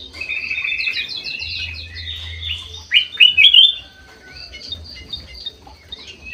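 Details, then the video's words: In an aviary, a white-eyed golden-fronted leafbird, locally kutilang emas, gives chattering notes, then a loud burst of sharp rising whistles near the middle, fading to sparse soft calls; a low hum runs underneath. "KUTILANG EMAS MATA PUTIH SUPER GACOR"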